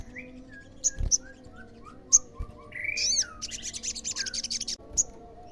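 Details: Song of an olive-backed sunbird, used to draw replies from other sunbirds. Scattered sharp, very high chips open the recording, then a fast, buzzy, high-pitched chattering trill runs for about a second and a half, with faint lower slurred notes throughout.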